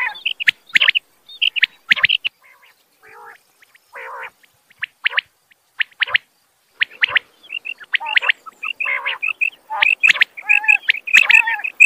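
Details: Quail calls from male and female birds: sparse sharp notes and a few rough bursts at first, building to a rapid, continuous chatter of clipped high notes in the second half.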